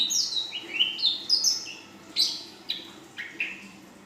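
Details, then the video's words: Young female ashy drongo in 'full isian' song: a quick run of high whistled notes, mostly falling slurs, then a few spaced sharp downslurred calls fading out. "Srigunting Abu Paud Betina Full Isian"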